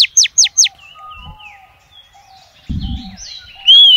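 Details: Female oriental magpie-robin calling to males: three loud, sharply downslurred whistles in quick succession, followed by softer warbled notes and a rising whistle at the end, with a brief low thump midway.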